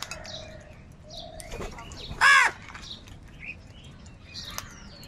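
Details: One loud, harsh caw from a crow in a large crowd squabbling over food stands out midway, surrounded by soft chirps, other distant calls and a flutter of wings.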